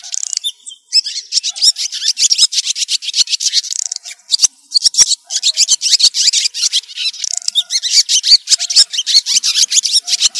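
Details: White-breasted woodswallows give a flock-gathering call: a dense, harsh chatter of rapid, high buzzy notes, several per second, almost without pause, with no other sounds heard.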